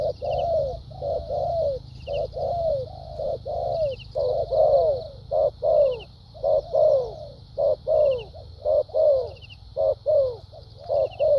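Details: Spotted dove, a good-voiced decoy dove performing in the thúc gù and lèo dặm cooing styles: deep, rapid rounded coos, some short, some long and falling, in rhythmic bursts over a steady high buzzing background.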